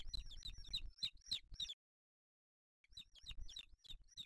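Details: Spanish booted eagle nest holding chicks, 8 July 2023, with the male bringing a small bird; quick high chirps repeated about three or four per second, a short silence, then more of the same chirps.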